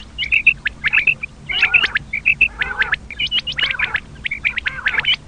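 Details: Common quail lure call used in hunting, a busy stream of sharp high chirps and clicks in quick clusters, some notes with buzzy lower tails.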